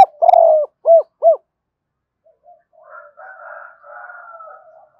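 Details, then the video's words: Spotted dove used as a calling lure, double-note voice: a long sliding coo, then two short, evenly spaced arched notes. A softer, drawn-out warbling murmur follows in the second half. "tiếng cu gáy mồi gáy gọi chuẩn hai hậu, hay còn gọi là giọng đôi"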